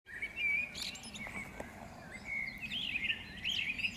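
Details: Birds singing in May 2016 at the botanical garden in Powsin, Poland: high thin whistled phrases and trills, a sustained whistle early then bright twittering notes later, over soft outdoor background noise.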